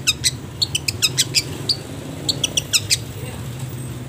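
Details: Long-tailed shrike song used for training caged birds, with pauses: quick bursts of sharp high ticks and chirps, a brief whistled note, then a short final chatter and quiet, low hum throughout.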